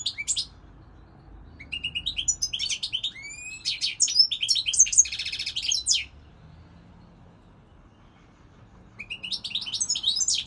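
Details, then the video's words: European goldfinch song in two stretches: a long, tumbling sequence of rising whistles, tinkling chirps and rapid twittering trills, then about three seconds of silence before the singing resumes. "Singing Goldfinch, saka kusu تغريد الحسون الاروع هذا الموسم"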